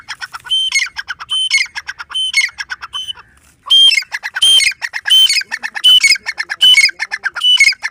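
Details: Grey francolin giving loud, grating phrases, each a quick rattle of harsh notes capped by a ringing squawk, repeated in a fast rhythm with a brief pause midway.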